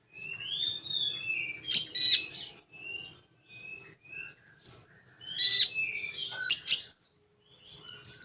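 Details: Common iora giving full 'tembakan' song: varied slurred whistles, buzzy scratchy bursts and isolated sharp notes, with a quiet spell before a closing run of four fast high pips.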